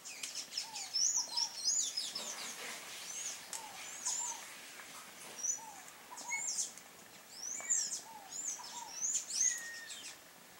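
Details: Sayaca tanagers visiting a yard in search of food, giving short high squeaky chirps and thin whistled notes, several birds calling in quick overlapping bursts throughout, with softer lower chips underneath.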